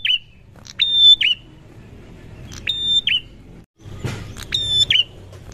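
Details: Prinia replying to another prinia with three pairs of sharp, bright ringing notes spaced over several seconds, separated by quiet gaps.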